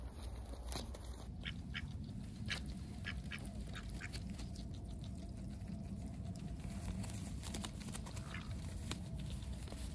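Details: Ducks filmed close up on a heavily overcast day, lively and going about their daily routines; a run of short, harsh quacks repeats through the middle seconds over a steady low rumble.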